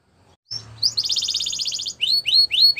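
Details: A Belgian canary sings for the training of young canaries; after a short pause comes a rapid rolling trill followed by bright upswept whistles repeated in sequence.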